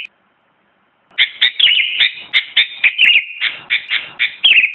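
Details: After a second of silence, a sooty-headed bulbul launches into a continuous string of quick, liquid, slurred chirps with a few falling notes, clear and close.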